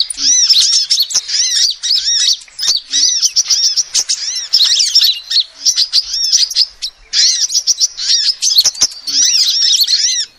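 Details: Sunbird female calls used to lure birds: long runs of rapid, high-pitched chattering and looping twitters repeated in several bursts about two seconds long, separated by short gaps.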